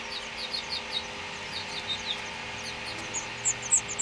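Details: House finch nestlings in a nest built in a front-door wreath in Utah, fed by their mother; thin, high squeaky cheeps in quick bursts, louder near the end, over steady mechanical hum.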